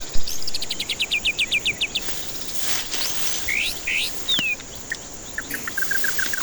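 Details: White-rumped shama song used as a lure to prompt stressed birds that will not sing: a fast run of about ten sharp repeated notes, then a few bright rising whistled slurs and a closing series of short chirps.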